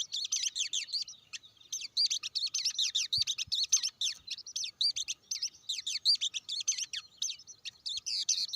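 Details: Blue-winged leafbird singing a dense, continuous run of high, sharp chirps and quick slurred whistles in varied bursts, with brief pauses between phrases and a clean, quiet background.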